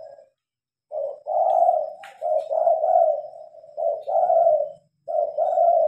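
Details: Spotted dove calling at night while the lights are on, recorded on a Samsung phone: a run of mellow, mid-pitched coos in linked phrases, with a short pause before the last pair.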